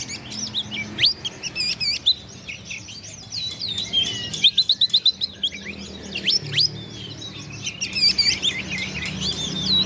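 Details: Oriental magpie-robin pouring out an energetic song meant to make opposing birds rage and fight. Bright rising whistles, trills and staccato chirps come in close bursts, roughly four notes a second, with a soft low drone behind.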